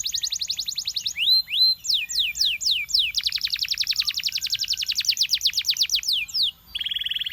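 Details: Belgian canary song used to attract other canaries: a quick trill, loud slurred whistles, a long fast rhythmic trill of sweeping notes and a closing buzzy rattle.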